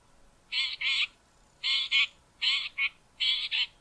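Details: Harsh call of a male Southern Fiscal near Grahamstown, South Africa: grating, buzzy double notes given in paired bursts roughly every three quarters of a second.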